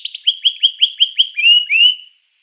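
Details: Canary singing to provoke rival canaries into song: a rapid run of bright chirped notes repeated several times a second, ending in two longer sliding whistles, then silence.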